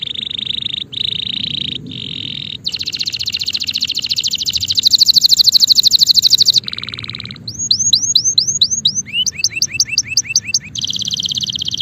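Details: A male canary sings long high buzzy rolls and a dense rapid trill, followed by a rough nasal note, a run of rising whistled syllables and a final trill.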